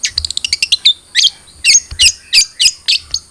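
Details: Long-tailed shrike of the trotol type, a lure recording to make a captive bird sing quickly: a rapid run of short high chirps speeding up, then louder, buzzy, slurred notes repeated about three times a second.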